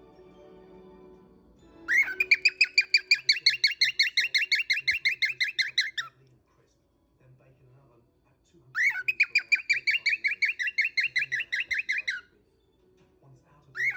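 A cockatiel gives rapid bursts of bright, chirping calls, several per second, in two long runs.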